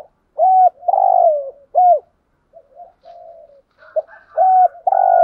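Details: Spotted dove kept as a decoy, cooing in a steady series of loud, hoarse, down-slurred coos separated by softer, quieter murmured notes. No other sounds.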